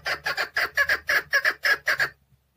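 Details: Chukar partridge kept in a cage in Tajikistan in 2020. It gives loud, rasping doubled notes, about nine paired chuk-kar phrases in two seconds, then falls silent in a quiet room.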